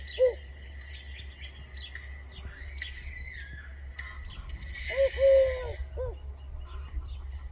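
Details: A bird whose call is said to sound like "sidi rabbi" gives a brief mellow coo at the start, then a short-long pair of hooting coos later. Scattered chirps from other birds, a low constant hum and a burst of hissy noise fill the gaps.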